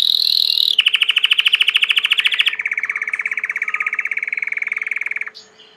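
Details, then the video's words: Belgian canary, a domestic canary, delivering a long rolling trill that steps down in pitch twice, many notes per second, fading at the end. "COMO FAZER SEU CANARIO CANTAR MUITO 20 MINUTOS DE CANTO"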